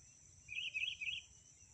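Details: Sooty-headed bulbul female calling to the male, a lure call, gives a quick, bubbly burst of chirping notes lasting under a second over a steady high insect hum.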